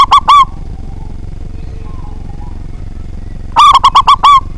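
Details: Zebra dove of local Indonesian stock, a strong-voiced frequent singer used to lure rivals into song. The tail of one phrase opens the recording, then after a pause comes a full phrase of rapid staccato coos closing on a longer rolled note.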